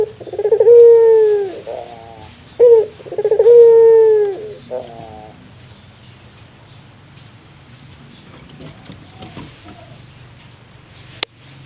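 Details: Barbary dove's rare laughing call: two stuttering sequences, each ending in a long, smooth, slightly falling hoot, then a short tail of notes before near silence and a single sharp click at the end.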